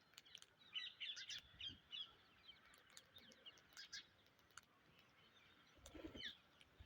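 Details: An Indian ringneck parrot gives harsh, high screeching calls in short uneven bursts, loudest early on and again near the end, over a faint background hum.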